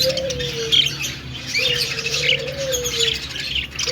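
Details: Budgerigar singing and dancing, giving soft high chirps and warbles, with two long, even low tones sounding beneath the chatter.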